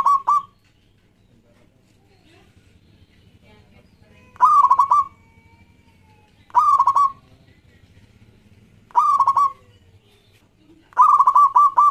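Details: Local zebra dove song used as a lure for other doves: short bursts of rapid, stuttering, mid-pitched coos, each under a second, repeated at uneven intervals of about two to four seconds over faint low background hum.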